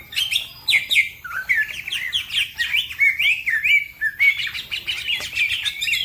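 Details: Green leafbird in fast song for tutoring other birds: looping whistled notes that rise and fall in quick sequence, brief gap, then a renewed tumble of high chirps.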